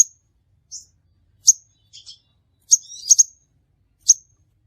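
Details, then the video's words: Crimson sunbird trapping lure: scattered thin high chips and a few softer, lower buzzy notes, including a quick doubled chip, on an otherwise quiet background. "suara burung sepahraja ampuh"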